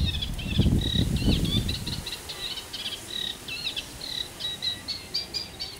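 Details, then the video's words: Eurasian reed warbler singing at the London Wetland Centre, a monotonous chattering series of grating repeated notes, with a burst of low rumbling noise during the first two seconds. "reed warbler"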